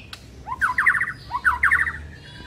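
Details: White-rumped shama song used as a morning lure to attract a shama: two short bursts of rapid, rattling, harsh phrases, each opened by a rising slur, over low background rumble.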